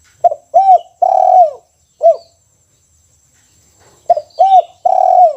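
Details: Two full 'kuk 1' song phrases from a caged spotted dove: each a short note, two rounded arched coos and a long drawn-out coo falling at its end, the first closing with a hooked coo. Soft bird chirps behind.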